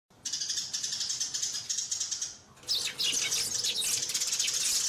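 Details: Sparrows gathering, hopping about and fighting chirp rapidly and continuously, a dense chatter of high, short notes, rising to a busier, harsher squabbling burst in the second half.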